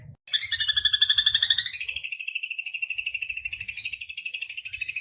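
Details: Long-tailed shrike master recording in the rough 'tembakan kasar' style: a sudden start into rapid, buzzy, high-pitched pulsed chatter, the tone band dipping then rising and holding steady for about five seconds.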